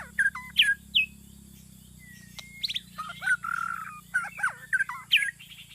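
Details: Trapping-lure song of a white-rumped shama: quick sharp whistles and curling slurs, a long flat whistle, a buzzy warbled phrase and more rapid varied notes, over a steady low hum.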